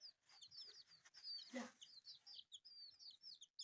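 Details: Several colourful baby chicks eating rice give high, arched peeps in rapid overlapping bursts, with a sharp broadband knock near the middle and short quiet gaps between chirp runs.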